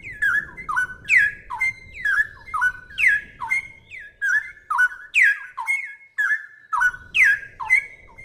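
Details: Straw-headed bulbul (Pycnonotus zeylanicus) song as bird-training audio: loud, rich, gurgling whistled phrases, about two per second, swooping down then up, over a faint low hum.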